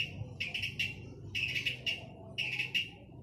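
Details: Male long-tailed shrike singing. It gives grouped bursts of buzzy, chattering notes with short gaps between the groups, over a low murmur of background noise.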